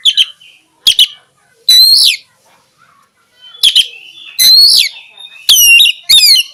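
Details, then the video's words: Oriental magpie-robin, kacer, a champion songbird, giving loud ringing whistles and sweeping slurred notes in short bursts separated by brief pauses, with some softer thin notes in the gaps. "SUARA BURUNG KACER INI BIKIN BURUNG ANE MENJADI JUARA"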